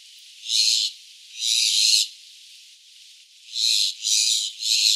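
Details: A jungle myna at Abshar Point, Malam Jabba, mingling with redstarts and grey bushchats, gives five harsh, hissing, rasping bursts, each under a second, in two uneven groups.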